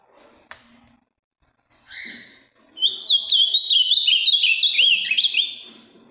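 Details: Ultramarine grosbeak, a large deep-blue bird from Minas Gerais, Brazil, with a firm song; a sharp click and a buzzy note precede a loud, rapid, jumping series of bright whistles lasting nearly three seconds.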